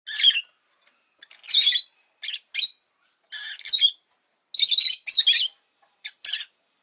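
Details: Pet rosy-faced lovebird giving harsh, broadband chirps and short squawky bursts in irregular clusters, some quick single notes between louder rasping phrases; a quiet indoor setting with no other clear sounds.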